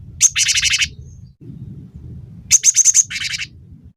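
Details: Gelatik batu (Cinereous tit) on a training recording meant to teach songbirds and provoke them to sing: two bursts of rapid, high, slightly buzzy notes, each ending in a harsher rattling trill, over a low steady rumble.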